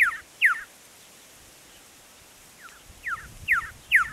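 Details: Male red-lored whistler song near Cobar, Central West NSW, 18 December 2016: five clear downslurred whistles falling from high to mid pitch, two half a second apart, a pause, then three more about every half second.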